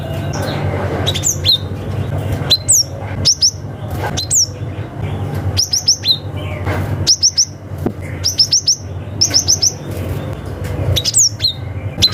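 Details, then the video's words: Wild forest cinereous tit calling out rivals, a lure for young wild birds. Bright, sharp downslurred whistles repeat in rapid clusters of two to four throughout, over a low background rumble. "SUARA gelatik batu ngalas manggil lawan - cocok untuk PANCINGAN gelatik muda hutan"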